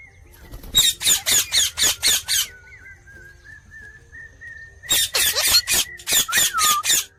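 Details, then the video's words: Parrot chirping in two rapid bursts of harsh, broadband chirps, about four per second. A faint steady whistle-like tone runs through the quiet gap between the bursts. "Talking Parrot Chirping Sounds"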